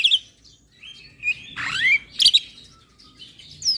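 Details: Black-winged myna in provoking, nodding song: scattered whistled and slurred notes, one rising sweep and a short sharp double chirp, with quiet gaps between phrases.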